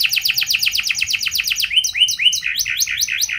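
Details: Canary lure song meant to draw replies from other canaries: quick repeated downward-sweeping notes, then a run of rising hooked whistles, bright and steady.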